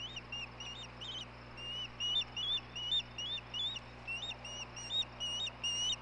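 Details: Osprey at a Hellgate nest recorded by camera on May 17, 2016, as the male serves dinner to the female. A continuous, irregular chatter of softer whistled chirps, some rising and some falling, over a steady background hum.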